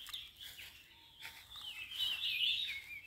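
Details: Red-vented bulbul feeding babies: a faint, hissy background that builds into a louder, sustained, wavering high chirping during the second half.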